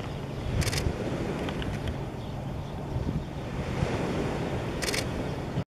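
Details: Steady roar of wind and surf with two brief knocks and no animal calls.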